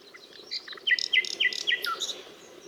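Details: ['Nightingale song: soft scattered notes, then four loud, clear notes that each slide downward, evenly spaced, followed by a lower trailing note.']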